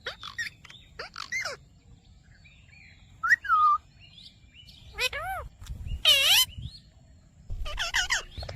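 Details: Ringneck parrot speaking "Mitthu Mitthu": scattered short voiced syllables, then a clear falling phrase and a loud harsh burst near the end, while other birds chirp faintly behind.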